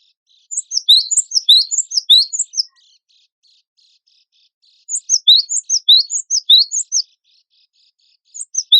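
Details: Cinereous tit, a lively gacor bird, in a competition-style training compilation. Two bursts of high, sharp chirped notes, each about two seconds long, with a quiet gap between them. Faint soft twitters continue in the background.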